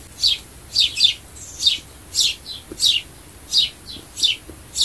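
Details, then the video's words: Sparrow chirps used to lure birds, a lively run of loud, descending high chips with softer notes in between, around ten calls in five seconds. "sparrow sound to attract birds"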